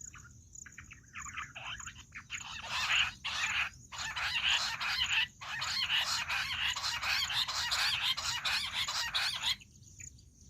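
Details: Loud, shrill, pulsing chatter of jungle bush quail, a call used for hunting, rising into a dense rhythmic chorus with brief pauses before fading to scattered notes. A thin high whine runs throughout.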